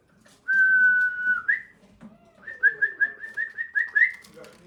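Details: A male cockatiel courting his mate gives one long, level whistle with an upward flick at the end. After a pause comes a quick string of short, rising whistled notes. A faint, low, descending tone sounds underneath.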